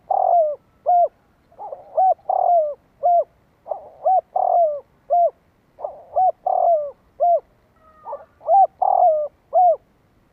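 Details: Repeated spotted dove cooing, used to provoke wild doves: about five phrases of quick soft notes, a long falling coo and short clear hoots, steady and loud throughout a quiet background.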